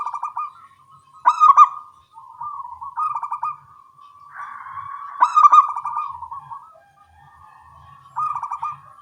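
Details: Zebra doves of the local small-voiced type calling back and forth in the morning; stuttering, bubbly coos that swell into louder rolled bursts, repeated about every four seconds over a steady low cooing.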